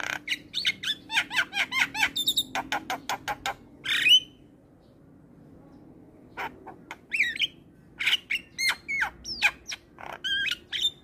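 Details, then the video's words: Lively Javan myna chatter used as a tutor recording to rile up other mynas: rapid clicks and squeaky whistled notes, a loud squawk, a pause of near silence, then more sharp chirps and upslurred whistles. "Semua Jalak Dibuat Emosi Dengar Ocehan Jalak Kebo Gacor"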